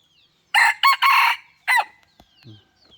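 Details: Decoy rooster giving a loud crow in four choppy bursts: two short syllables, a long hoarse held note, then a final short note, followed by faint clicks and a low thud.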